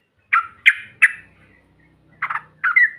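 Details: Yellow-vented bulbul calling as lure material to provoke rivals: three sharp chirps in quick succession, a pause, then two burry, doubled notes, the last trailing into a thin whistle; faint low hum beneath.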